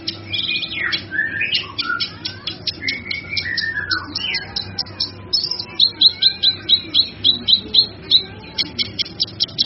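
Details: Song of a male kinoy, recorded as a master track for teaching other birds: varied whistles with rising and falling slurs, followed by a steady series of crisp high chips, with low background hum.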